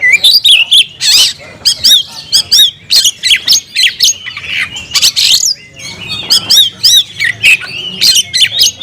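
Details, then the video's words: Oriental magpie-robin in full voice, calling a rival to fight: short bursts of bright whistles, rising slurs and harsh rasping notes, delivered in rapid choppy phrases with tiny gaps. "kicau burung Kacer gacor memanggil lawan tarung"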